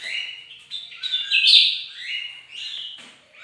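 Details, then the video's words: Bird-of-paradise singing vigorously on a bright morning: a varied, fast run of whistled and buzzy phrases that slide between mid and high pitch, swelling loudest halfway through. "bagus si burung surga lagi gacor"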